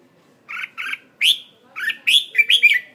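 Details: A red-whiskered bulbul kept as a decoy bird in Hanoi gives two short chirps, then a quick run of bright, bubbly whistled phrases, all fairly high-pitched, with nothing else audible.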